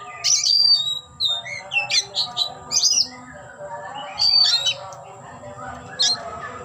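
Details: Kacer, the oriental magpie-robin, opening its tail in display while singing loud bursts of bright whistles and buzzy rasping notes, grouped in short phrases with quieter gaps, against a low background hum.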